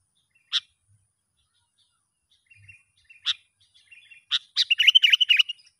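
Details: Sooty-headed bulbul heard in the wild during a young lure-bird trial: scattered sharp chips, then a closing burst of rapid, chattering, warbled notes.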